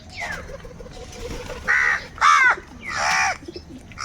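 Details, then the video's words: Angry crows fighting over food give three loud, harsh, rasping caws about half a second apart, over a murmur of background noise. "Crow bird live crowing sounds - Angry kauwa ki awaaz | Kaka sound and noises of crow birds"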